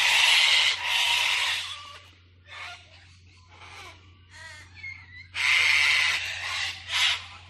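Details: Cockatoos in Oxley Avenue give loud, harsh, raspy screeches in two long bursts separated by softer scratchy calls, with a low steady hum underneath.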